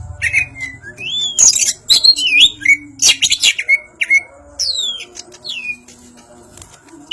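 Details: Greater green leafbird from Banyuwangi, crest raised, giving a lively ngentrok song of fluid rising and falling whistles mixed with loud harsh rattles, ending in a few clean downslurred notes and a quiet stretch.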